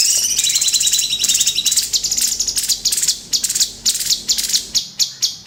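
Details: Crimson sunbird song in a tutor recording for cage birds, a high, dense chattering trill that breaks into separate sharp, piercing notes repeated about twice a second near the end.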